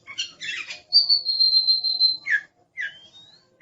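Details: Aggressive Oriental magpie-robin: two raspy chattering bursts, then one long steady high whistle lasting over a second, a harsh note, and a thin rising whistle.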